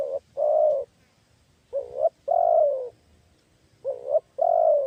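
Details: Lure tekukur, the spotted dove, calling to draw in wild birds: paired coos, a short upswept note then a longer falling hoot, two phrases about two seconds apart; quiet background.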